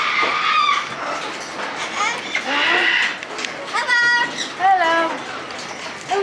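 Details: Chatty parrot being fed, saying hello among other talking birds; harmonic, voice-like squawks and rising then falling tonal phrases, with a person speaking and other background noise.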